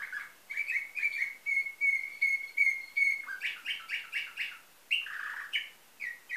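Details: Canary singing a nightingale-style song, from a Varna, Bulgaria breeder in 2013: a row of steady, clear whistled notes repeated at an even pace, then quicker, chirpier phrases with a lower rolling note.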